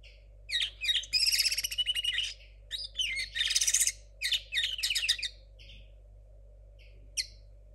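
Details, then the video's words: A 2022 linnet hybrid, a young bird whose song is still messy, delivers fast runs of bright twittering and rattled high notes in several bursts, tailing off into isolated single chirps after a brief pause. "mixto de Pardillo 2022"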